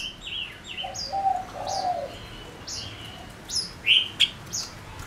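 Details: Male Gouldian finch kept as a decoy bird, singing to lure wild birds: bright high whistled notes, short downslurred and rising, scattered rapidly, with sharp loud chips near the end and a lower hummed note early on.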